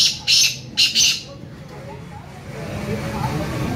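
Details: Black francolin, a bird from Layyah, Punjab, Pakistan, gives three harsh, grating, high notes in quick succession in the first second; a low background hum and rumble continues afterward.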